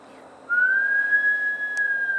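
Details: Bush stone-curlew that sometimes comes indoors at Gold Coast, Australia, giving a single drawn-out, level whistled wail lasting almost two seconds, with a faint click.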